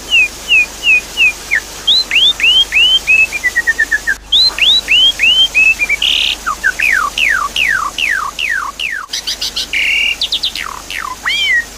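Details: Javan pied starling lure song to restart a bird that has stopped singing. Long, lively sequence of upward-curving whistles, descending note runs, a harsh buzzy burst, repeated falling sweeps and a dense, high, chattering finish.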